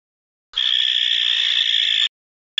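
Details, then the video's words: Barn owls recorded at night, 12 May 2023 at 23:37: one long, harsh, hissing screech lasting about a second and a half, steady and rasping, then a very short burst of the same rough sound. "Chouettes Effraies"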